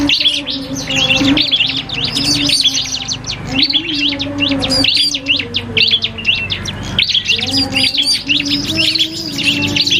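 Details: A common iora, locally cipoh kristal, trades songs with a prinia in a training recording for caged birds: long run of rapid, high, stuttering chirps and whistles over a constant low hum.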